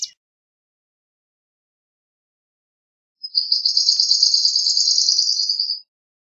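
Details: Swamp sparrow delivering a fast, slightly buzzy high trill of roughly two and a half seconds after a long silence, with a brief chip at the very start.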